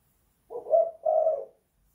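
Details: One soft two-part coo from an indoor spotted dove of the 'kuk 2 / guk 1' style: a quick rising note sliding into a longer, even, hollow coo.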